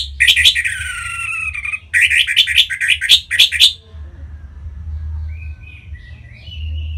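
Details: Orange-headed thrush singing to encourage other birds to sing: a buzzy, drawn-out phrase, then a rapid run of about six sharp repeated notes, trailing into soft high twitters over a steady low hum.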